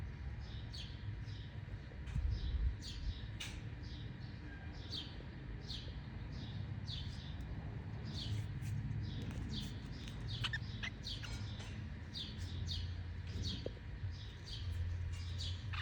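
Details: A pet cockatiel at play gives a steady run of short, high chirps over a low background rumble.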